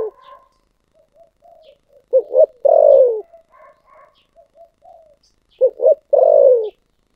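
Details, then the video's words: Thổ sấm voice of a spotted dove: repeated phrases of soft muted coos, a pair of quick hard notes, and a long, loud, husky coo sliding downward, about every 3.5 seconds. A few faint higher chirps sound in between. "cu gáy giọng thổ sấm"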